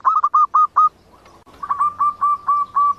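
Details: Zebra dove sound used as a lure for trapping: clear, mid-pitched hooting notes in quick staccato runs, a fast burst of five followed by a short pause and a second, steadier series.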